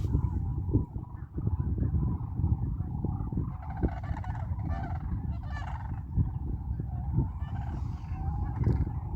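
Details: A distant flock of Sandhill Cranes on Staten Island in the Sacramento-San Joaquin Delta, a crane preserve where tens of thousands forage and roost in fields, gives rolling, trumpeting calls under heavy wind rumble and a man's voice.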